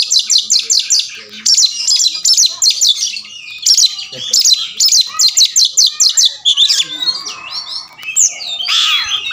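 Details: Oriental magpie-robin said to respond fast, fight and open its tail: long rhythmic series of clipped, high buzzy notes in rapid bursts, broken by short pauses, ending in looping whistled and mimic-like phrases.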